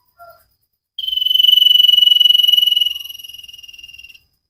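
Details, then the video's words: Common iora singing the sirtu style, recorded as training material for cage birds: after a faint short note, one long, steady, rapidly pulsed whistled trill runs about three seconds and fades slightly toward the end. "Burung cipow sirtu masteran Gacorrr banget"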